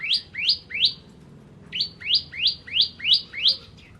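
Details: Active singing from a bar-winged prinia (ciblek kristal): three sharp, rising chirps, a brief gap, then six more, delivered at a steady pace of roughly three per second.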